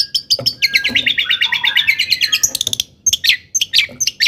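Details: Long-tailed shrike in excited song used to provoke other shrikes; a fast rattling trill of repeated notes, then harsh scratchy calls and squeaks.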